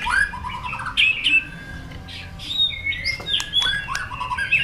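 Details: White-rumped shama singing in competition, long forest-style song: scattered high whistles, short chattering bursts and descending slurred notes, moderately loud over a soft background hiss.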